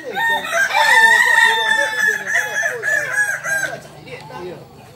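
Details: Kukuak Balenggek rooster, a chicken endemic to Solok, West Sumatra, crowing at a group practice session: one long, loud, steady crow of about three seconds ending in stepped notes, with soft clucking and chattering from other fowl behind it.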